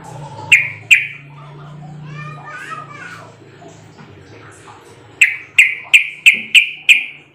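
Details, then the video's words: Sooty-headed bulbul calls played as a lure to make other bulbuls answer back. A pair of sharp, clipped notes comes first, then a child's voice and indoor chatter, then a run of six loud, evenly spaced chucking notes. "Pancingan trucukan agar bunyi sahut sahutan"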